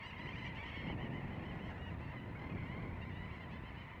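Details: A dense colony chorus of Little Auks flying around steep rocky hillside slopes in Svalbard, many overlapping high chattering, trilling calls running together without pause, over a steady low rumble of wind.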